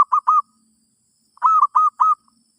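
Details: Zebra dove song for teaching a new bird: a pair of soft rolling coos, then a faster run of four similar mellow notes, all at the same mid pitch, against silence.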